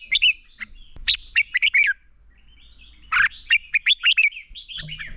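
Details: Red-whiskered bulbul as a lure singing its fighting song for training: two lively bursts of sharp, slurred whistles, each of six to eight notes, separated by a quiet second.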